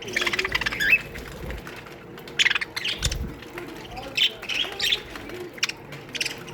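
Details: Aviary colony of budgerigars chattering, with bright chirps and warbling squawks coming in quick bursts throughout, several birds overlapping against a faint low hum.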